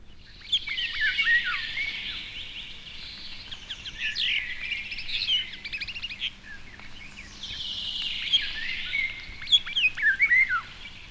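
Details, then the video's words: On a still, warm January day in British woodland, a common starling flies to a perch and sings a busy medley of clicks, rattles and squeaky whistles in two bursts, with fluty slurred notes imitating a European golden oriole. "is imitating a European golden oriole."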